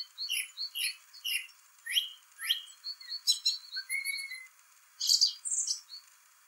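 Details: Singing song thrush in spring, its complicated song opening with a phrase of whistled notes repeated several times in quick series, then varied trills, a low whistle and a harsh burst near the end.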